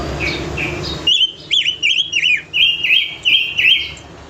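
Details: Pancawarna bird singing actively: a run of clear whistled notes, each with a quick up-and-down twist, repeated about three times a second; a noisy background at the start fades as the song begins.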